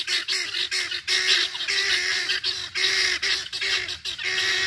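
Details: Guineafowl keets out on a stroll in Georgia: a loud, harsh, continuous chorus of overlapping calls from several birds, steady notes broken into bursts about every half second.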